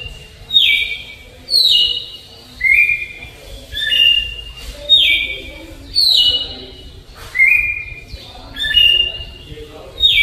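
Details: Campo Troupial singing an Alagoas-style flute song delivered slowly, clear loud whistled notes, each gliding down from high to lower pitch, about one phrase every second with short pauses between.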